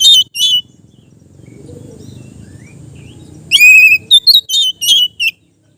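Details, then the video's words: Kept Oriental magpie-robin singing relaxed ngeplong song for training: two bright notes, a quiet stretch with low murmur, then a strong ringing whistle followed by a quick series of clear chirped notes. "suara Kacer ngeplong santai cocok untuk terapi kacer bahan"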